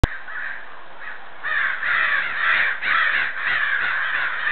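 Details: Huge flock of crows gathered around a home, calling: after a quieter opening second, loud harsh caws pile up from many birds at once, overlapping in a dense, continuous chorus.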